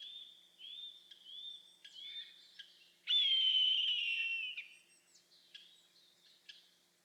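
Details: An Eastern Buzzard (Buteo japonicus) in the Shin'etsu highlands of Japan, on an early May morning, gives a few short arched mewing whistles, then one loud, slightly falling scream of about a second and a half.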